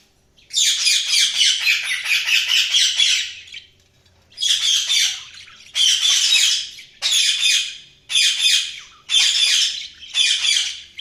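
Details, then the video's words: Pet budgerigars chirping: a long rasping, chattering warble lasting about three seconds, then five more harsh buzzy bursts, each roughly a second long, separated by brief silences. "budgies chirping sound"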